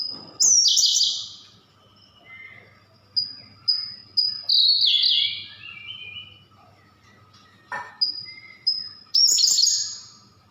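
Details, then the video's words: Siberian blue robin singing: thin, high piercing notes spaced apart, each run ending in a loud, rapid, descending rattle-like burst, heard three times across the recording; a faint steady low hum runs underneath. "Burung Siberian Blue Rubin"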